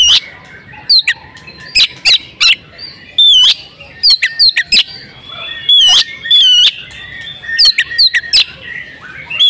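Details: Oriental magpie-robin, a female in breeding condition whose calls are used to make males sing: loud sharp chirps and clicks in bursts, with short whistled notes bending up and down, broken by brief pauses.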